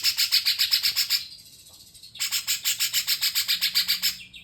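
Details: A cucak jenggot-style song (Grey-cheeked Bulbul type) with rapid bursts of harsh, buzzy, high chattering notes, about four per second. Two phrases are split by a one-second pause.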